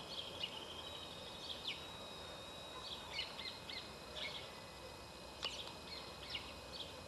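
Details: White-banded mockingbird (Calandria Real) in Córdoba, August, singing: scattered short varied notes and chirps around high pitch, spaced about a second apart, faint against steady background noise.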